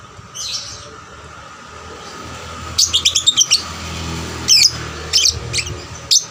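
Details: Diligently singing lovebird, a lure recording meant to get other lovebirds singing; scattered sharp, high chirps come in short clusters separated by pauses, over a low background rumble.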